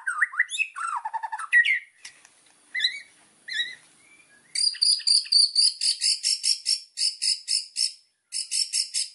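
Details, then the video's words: White-rumped shama master song with full fills, used for training birds: varied rising and falling whistled phrases, then a long run of rapid, buzzy, high chirping notes repeated in tight pulses, with a short pause near the end. "MASTERAN MURAI BATU GACOR"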